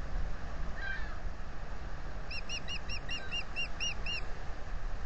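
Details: Osprey at its nest on a camera at Salt Point, April 15, 2020, offering to take over incubation from its mate, who refuses. About nine high, arched whistled chirps come in a quick series, with one faint earlier note over a low steady rumble.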